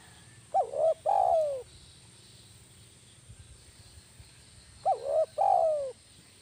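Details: Lively caged spotted dove used as a decoy bird, kuk 1 type: two-part cooing phrase, a clipped upturned note followed by a drawn-out descending coo, heard twice roughly four seconds apart, with a constant high electronic whine behind.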